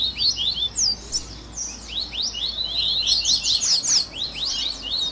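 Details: Coleiro (Double-collared seedeater) 'baderna' audio for captive training: scattered high, slurred whistles at first, building into a dense, bright flurry of overlapping notes around the third and fourth seconds.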